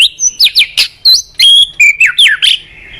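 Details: Master white-rumped shama song for training other shamas: clear, sliding whistles and bright chips in a quick varied sequence, notes swooping up and down with short gaps, loud and close.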